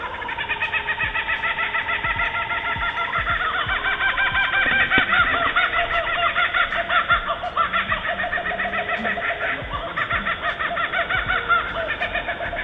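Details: Laughing Kookaburras of Australia give their raucous laugh: rapid, rolling hoots and cackles that rise and fall, with several birds overlapping throughout.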